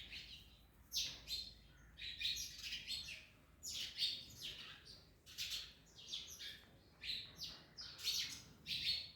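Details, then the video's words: Parrots feeding on an orange give a busy run of harsh, raspy screeches, repeated roughly every half second to second, some overlapping. "Parrots Eating Orange (Mian Mithu Eating)"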